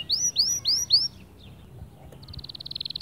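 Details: Male white canary singing to motivate other birds: four arching swooping whistles, a quiet gap, then a rapid, rising, buzzy trill.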